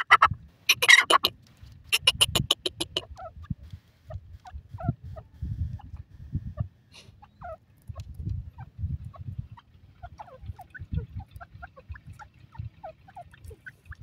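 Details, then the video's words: Indian francolin, called dakhni teetar, calling: a loud, harsh, rhythmic series of rapid pulsed notes in the first three seconds, then only faint scattered chirps over low rumbling background noise. "teetar ki boliyan,dakhni teetar ki awaaaz"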